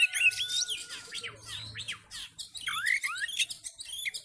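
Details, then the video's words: Agitated Oriental magpie-robin in full fighting mode, challenging other males: loud bursts of high chattering notes and swooping downslurred whistles over a thin sustained tone, with a soft low hum in the background. "KACER FULL TARUNG DAN NGOTOT MEMICU KACER LAIN CEPAT FIGHTER"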